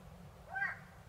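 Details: A tawny owl in Córdoba province gives a single short, sharp call that rises quickly and sounds slightly harsh, over a steady low background rumble.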